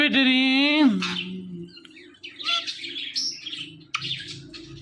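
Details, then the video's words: Male pet Indian ringneck parakeet talking: a drawn-out, voice-like harmonic note lasting about a second, followed by scratchy chirps and short squeaks. "This Ringneck Parrot Is Really Appreciable Because Of His Best Talking"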